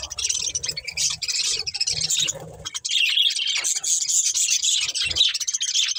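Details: Chirping from a breeding pair of budgerigars: steady high warbling chatter with scratchy notes, a short pause near the middle, then continuous bright twittering.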